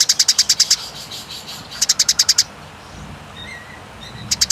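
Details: Fighting Eurasian tree sparrow giving rapid runs of high, clipped chirps, about six to eight notes a burst, then a pause and a shorter burst; faint whistled notes sit underneath.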